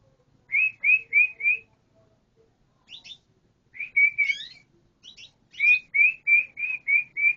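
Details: Clear canary phrases: a run of four evenly spaced whistled notes, a pause with a few scattered chips, then a longer series of identical whistles repeated roughly three per second.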